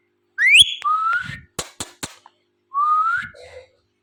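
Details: Talking ringneck parrot at home: a steep rising whistle into a long level whistle, three sharp taps, then another upslurred whistle and a low note.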